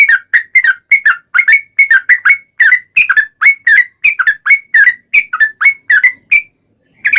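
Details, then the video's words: Gacor sooty-headed bulbul, known as trucukan, delivering a long ropel song used to provoke other bulbuls to sing: continuous fast sequence of liquid whistled notes, some paired, ending in a short silence. "SUARA trucukan gacor ROPEL PANJANG pancingan trucukan agar bunyi"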